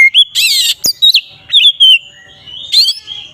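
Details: Magpie-robin (kacer) singing ngeplong style to rouse other magpie-robins: rasping buzzy bursts, a sharp click, then several bright whistled slurs and a long level whistle.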